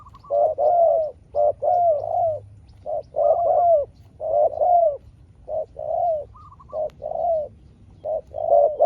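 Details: Spotted dove in a prolonged calling fight with a small-voiced wild dove. Dense, overlapping series of soft coos runs almost continuously, with short pauses and faint higher coos from the other bird.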